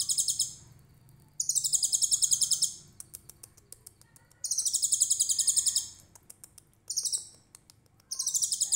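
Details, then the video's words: Konin trotol in tutor-style 'tembakan cililin' song for songbird training: repeated high, rattling trills lasting one to one and a half seconds, some with a falling start, separated by gaps of light ticking. "KONIN TROTOL GACOR VIRAL 2021 FULL TEMBAKAN CILILIN COCOK BUAT MASTERAN"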